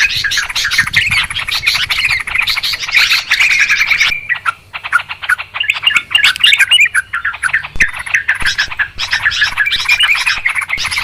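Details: Lure recording of noisy Yellow-vented Bulbuls for bird trapping: four seconds of thick, overlapping chatter, then a brief lull, then scattered sharp chips and bubbling phrases building back into a dense chorus.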